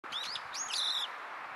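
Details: A young brown-eared bulbul, showing its tongue as it calls on 10 May 2023, gives two quick shrill squeaks, then a longer harsh, wavering screech, all high-pitched and lasting about a second, over faint background hiss.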